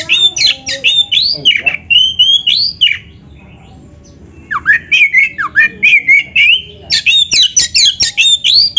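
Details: Oriental magpie-robin song meant to make caged birds answer: fast bursts of mixed whistles, rattling chips and slurred notes about four per second, broken by a short silence before resuming more densely.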